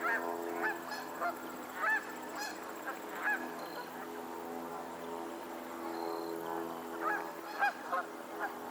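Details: Geese on a lake in Pennsylvania, giving scattered nasal honks, sometimes in quick pairs, over a steady low droning hum that runs through the whole recording.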